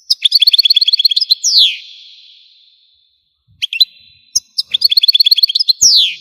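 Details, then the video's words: European goldfinch from Algeria in song, delivering fast rattling series of high tinkling notes, each run closed by a downward-sliding whistled note, with short chirps between two bursts. "تغريد الحسون قمة الابداع ! حسون جزائري"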